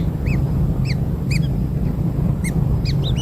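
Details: Newborn kingfisher chicks being fed black insects give short arched squeaky calls, each rising then falling, repeated in a loose series about every half second over a steady low rumble.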